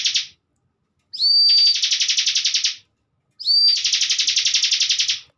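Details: Bar-winged prinia, a cage bird used as a master recording for training young birds, sings two phrases about two seconds apart, each a high thin whistle sliding up then a long, fast, buzzy trill.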